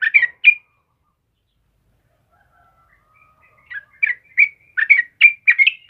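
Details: Yellow-vented bulbul (trucukan kebo) song for luring and tutoring caged birds: a few bubbly notes, a quiet pause of several seconds, then a quickening string of liquid chortles.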